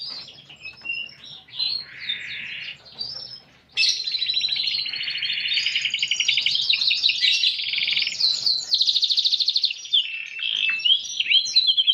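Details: Canary in vigorous, unique cengkok song: a few varied opening notes and a buzzy trill, a brief lull, then a long rich sequence of rolling trills and fast repeated notes at shifting pitches.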